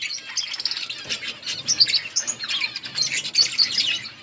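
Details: Budgerigars eating in an outdoor colony, giving bright twittering chirps and short whistled notes, several birds chattering together in quick bursts.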